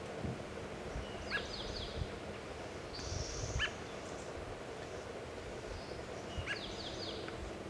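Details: Adult American robin chirping while feeding in Kingston, Washington: three brief sharp chirps several seconds apart, each near high descending twitters, over a steady rural background hiss and low rumble.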